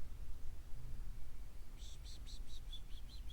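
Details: Yellow-faced Grassquit, probably, in trees on the Ancon Peninsula, Cuba, in winter 2024, giving a quick series of thin, high, insect-like chips, about eight in under two seconds, over low wind rumble.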